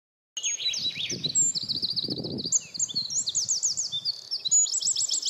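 A Eurasian wren pours out a loud, rapid song of high trills and ringing notes, running continuously for five seconds, with faint low rumbling beneath.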